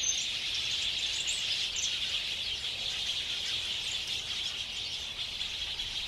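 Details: House sparrows gathering to roost at dusk in late summer, 18 February 2021, at Ngahinapouri, Waikato, New Zealand, taken with clip-on omni mics and a Zoom H5: a dense, steady wash of overlapping high chirps from many birds, with no pauses.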